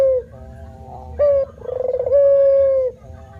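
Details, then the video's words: Spotted dove male singing gacor manggung coos: a short low coo, then a clipped higher note, then a throbbing pulsed stretch that smooths into a long level hooting note before fading into soft background hiss. "SUARA BURUNG PUTER MANGGUNG GACOR"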